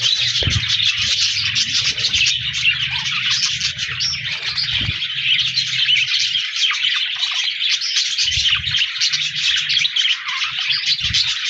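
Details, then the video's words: Many budgies chirping together, 14 January 2024: unbroken high, scratchy twittering and warbles from several birds, with brief low thuds of movement in between. "Budgies Birds Singing Chirping Sounds Parakeets sounds"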